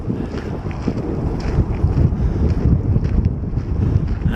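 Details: Strong wind buffets the microphone with a steady low rumble beside a tidal river trail, and no animal calls can be picked out.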